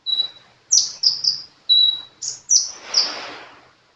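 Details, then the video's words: Sunbird singing energetically; a run of very high, thin whistled notes and sharp slurred chirps in short bursts, some long steady tones, with brief silent gaps between phrases. "Burung kolibri gacor"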